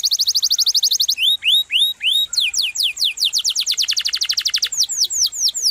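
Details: High, sharp canary song with long rolling variations: steady rapid trill, a few rising whistled slurs, a fast train of downward-sweeping notes, then slower looping whistles.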